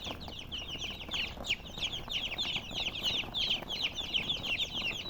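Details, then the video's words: A crowded chorus of colored chickens chirping, high slurred peeps packed tightly together and rising in intensity toward the middle before continuing to the end. "silly chicken chirping sounds with murgi hen color chicken"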